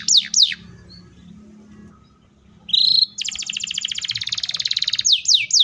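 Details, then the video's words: Canary song with two sharp descending sweeps, a quiet gap, a rising whistle, then a fast continuous roll of dense pulses and closing sweeps. "KENARI GACOR ROLL PANJANG SPEED RAPAT❗CUKUP 3 DETIK KENARI PAUD DAN MACET TOTOL SEKETIKA NYAUT!"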